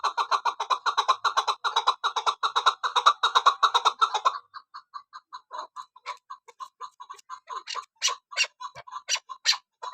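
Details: A female Kabuli chakor, a chukar partridge used in hunting, delivers a rapid, even chatter of clucking chuck notes, then switches to quieter, irregular single clucks with a few louder, sharper notes near the end.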